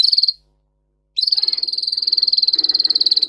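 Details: Russian singer canary, bred for its song, in a training recording for canaries: a brief high trill, a silence of under a second, then a long, even, rapid rattling trill.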